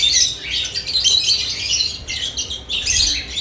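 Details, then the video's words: Right after nest boxes are added, lovebirds chirp in a continuous, loud jumble of piercing high notes that overlap with hardly a pause. "Lovebirds add nest boxes activity & chirping sounds"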